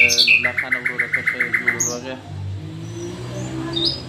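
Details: Nightingale delivering a fast rattle of about ten identical notes in under two seconds after a few sharp opening calls, then quieter faint whistles.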